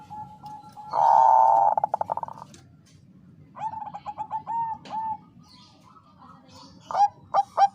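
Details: Female Bangkok-type zebra dove calling the male, used to raise breeding urge; a buzzy, throbbing note breaks into stuttered pulses, followed by a run of short coos and a few sharp clipped notes at the end.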